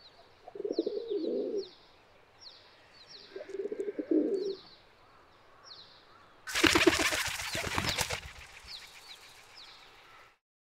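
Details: Two short bursts of low pigeon cooing, then a loud clatter of flapping wings, with repeated high chirps of small birds throughout; feral pigeon of towns and settlements.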